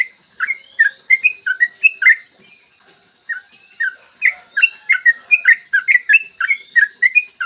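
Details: Long ropel song of a yellow-vented bulbul, a clear morning master meant to make other bulbuls sing quickly: a run of liquid chirping notes, a gap near three seconds, then a steady, quickening stream of bubbly whistles.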